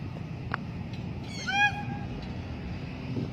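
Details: Blue-backed parrot kept in free flight gives one loud, clear, harmonic call that bends slightly upward and then flattens, against steady low background rumble.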